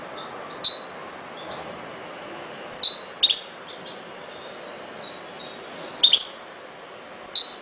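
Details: European goldfinch song: short bursts of bright, high twittering chirps, some in quick double and triple clusters, separated by pauses of one to three seconds over a steady faint hiss.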